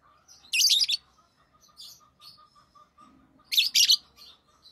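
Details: Pet rosy-faced lovebird chirping: two clusters of rapid, shrill, grating notes about three seconds apart, with quiet scattered chirps and a low steady hum in between.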